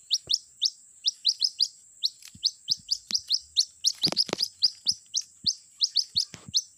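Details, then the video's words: Lure recording of a white-breasted waterhen chick calling for its mother: rapid, dense series of sharp rising peeps, almost continuous, over a constant high electronic tone, with a few soft knocks and rustles. "suara pikat anak ruak ruak memanggil induknya"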